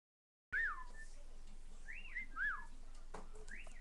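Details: Pet cockatiel on a computer desk indoors giving soft rising-and-falling whistled calls, about four spaced notes, with faint background noise.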